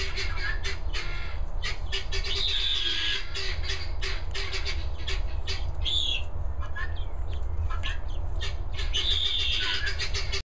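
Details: Helmeted guineafowl keets, three days old, give thin, high peeps over a steady low hum.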